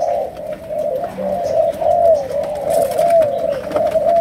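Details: Malaysian spotted dove cooing in the style called chiêu gù or sấm đồng: a steady stream of low, slightly wavering coos with little break, almost free of other sounds.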